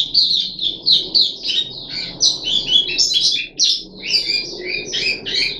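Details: Caged puff-backed bulbul, third day after deworming, 14 July 2021: lively bursts of sharp, jumbled high notes, some dropping and some rising, broken by short pauses, with a soft background rumble.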